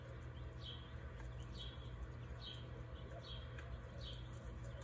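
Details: Gambel's quail at home in Scottsdale, Arizona, on 30 June 2020, giving short, high, down-slurred notes about once a second, five in a row, over a heavy low rumble.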